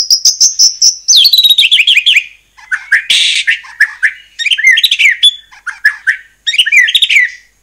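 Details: Song of a white-rumped shama, played to stir other shamas into singing back. It opens with a steady high whistle, then tumbles into descending notes, a harsh rasping burst, and varied whistled phrases with short gaps.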